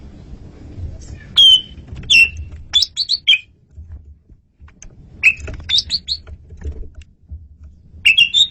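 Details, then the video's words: Asian pied starling (jalak suren) song for luring birds: loud clear whistles and downslurred notes with short chattering bursts, phrases spaced about a second apart. "SUARA JALAK SUREN RAJANYA MP3"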